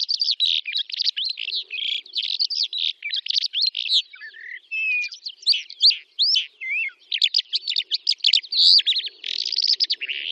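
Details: Steppe song of a Calandra lark recorded near Astrakhan, Russia, in May 2017: long rapid torrent of buzzy trills and chirps mixed with a few clear whistled slurs, almost continuous throughout.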